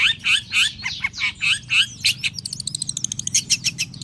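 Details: Long-tailed shrike singing while sunbathing in the morning: a string of harsh, buzzy chattering phrases about twice a second, shifting into a rapid, high ticking trill, over a low background hum.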